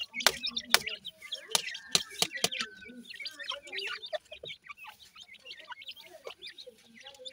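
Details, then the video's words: Baby dakhni teetar, or grey francolin chicks, chirping busily in high, short notes. A long level whistle runs under hard clicking taps in the first half, then softer continuous twittering follows. "baby cute teetar ki voice,wonderfull dakhni teetar chicks"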